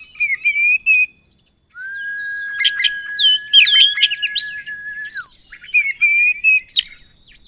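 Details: Oriental magpie-robin, or kacer, in 'gacor isian' song full of fill phrases. Rapid harmonic chips lead into a long steady whistle lasting over three seconds, overlaid by downward swoops, then resume in fast repeated phrases.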